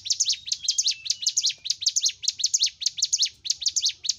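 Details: Hill Prinia in vigorous song for training caged group-kept birds: sharp, high chirps in fast pairs with short sweeping slurs, the rhythm slightly uneven, a faint low hum behind.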